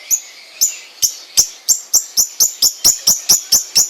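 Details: Long-tailed shrike kept at home, singing a series of sharp high chirps at about two per second that gradually speed up, each note a brief downward-sweeping click-like burst.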